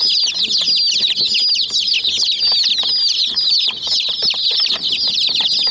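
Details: Chicks of domestic chicken swarm and peck a white mini toy jeep, their peeping a relentless shrill chorus of short descending chirps, tightly overlapping, over quiet tapping sounds.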